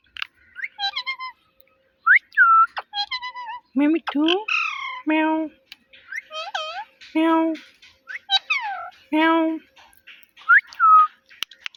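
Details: Talking pet parrot mixes whistled slides with deeper, voice-like mimicked syllables in a near-continuous run, several low harmonic words repeated among high rising and falling whistles.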